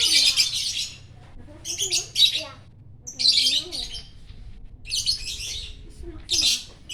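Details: Champion chattering lovebird singing in the morning, greeting the rising sun at Parahyangan Village, Jatihandap, Bandung; bursts of harsh, high, buzzy twittering, each about half a second long, come every second or so, with people talking quietly between them.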